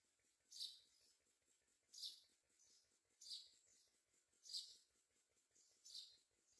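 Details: Myna parents busy feeding their young with food such as crickets; five harsh, breathy bursts spaced roughly every one and a half seconds, with faint rhythmic ticking in the background.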